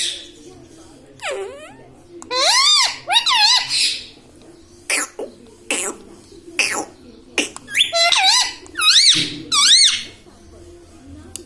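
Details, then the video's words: Pet talking parrot indoors saying mummy papa: a string of high, bending, wavering speech-like syllables with harsh noisy bursts and sharp clicks between them, delivered in quick irregular bouts. "Mummy pappa talking parrot🦜🦜 || mithu hu mithu || मम्मी पापा बोलने वाला तोता"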